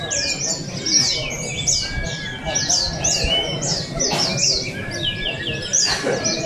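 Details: Oriental white-eyes competing in a song and style contest in Balingian, Sarawak, 2023; busy high twittering in quick descending notes, short thin whistles in between, and a low murmur of people throughout.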